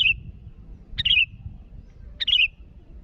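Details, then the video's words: Sooty-headed bulbul calling rivals: a short bubbly phrase of clear whistled notes stepping downward, given three times about once a second against low background rumble. "Suara burung Kutilang Gacor memanggil lawan"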